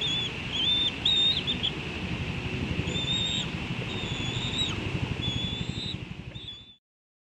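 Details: A bald eagle chick in a nest at the National Arboretum, Washington, D.C., on 9 June 2022, squees as its father arrives at the nest: thin, high whistled squeals in short bursts, often wavering or rising, over steady wind.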